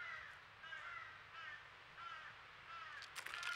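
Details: Baby crow, a fledgling with its noisy family at a squirrel feeder in Nova Scotia, Canada, begging all day; a run of hoarse, wavering caws in quick succession, ending with a clattering knock.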